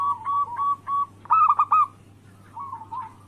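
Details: Local-type zebra dove song, played as a daily lure so rival doves start calling. Short runs of soft, hollow cooing notes with a brighter rolling phrase in the middle, then a quieter closing run, over a steady low hum.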